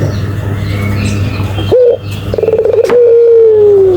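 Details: After muffled background noise, a Barbary dove gives a brief rising note, a pause, then a rapid stuttering lead-in into a long, smooth coo that slowly drops in pitch, over a low hum.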